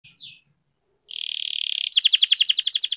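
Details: Canary song used to prompt lazy canaries into singing, in the rolling style: a brief high note, then a buzzy sustained trill, then a fast run of loud downward-sweeping notes.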